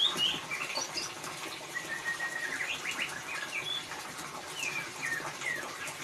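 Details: Ngeriwik-style singing of a white-rumped shama, meant to coax a mute bird into song: dense run of sharp chips, slurred whistles and buzzy sweeps, steady throughout, with constant background hiss.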